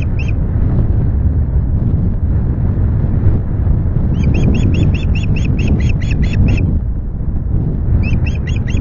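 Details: Afternoon fish delivery at the Loch Garten osprey nest, 25 July; after a single early note, a rapid even string of about a dozen high piping calls, then another short burst, with constant loud wind.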